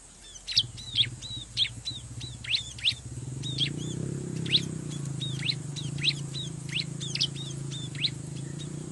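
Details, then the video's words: Bar-winged prinia calls used as a lure for wild birds at a riverside: rapid, noisy high chirps and slurred notes in quick series, with a low rumbling background noise starting midway. "pikat burung ciblek di pinggir sungai"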